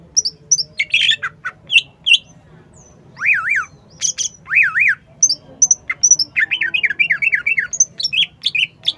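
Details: Caged cucak ijo, green leafbird, in strong full song, mixing sharp high chirps, squawky notes and repeated rising-falling wavy whistles in rapid bursts, with faint low hum behind.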